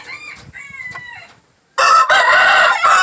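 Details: Green-legged red gamefowl, shown together with a jumbo pheasant: a few soft harmonic clucks rising and falling, a short pause, then one loud, harsh, broadband crow held steady for over a second.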